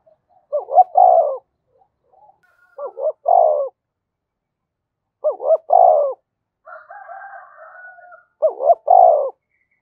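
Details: Spotted dove, a field-type decoy, cooing to provoke and call other doves: four evenly spaced phrases of paired short notes and a rounded low coo, with a faint higher cooing voice overlapping near the end.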